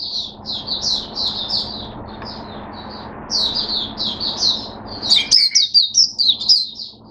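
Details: On 5 May 2022 a caged Oriental white-eye opens its song with rapid, high chirping phrases, pausing briefly, then bursting into louder, denser twittering with emphatic sharp notes toward the end.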